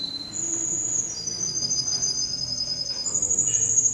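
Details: Male canary, entry number 10 at a canary singing competition in Rostov-on-Don on 22 January 2011, delivering long, even, high rolling trills that change pitch between sustained tours, over steady room hiss.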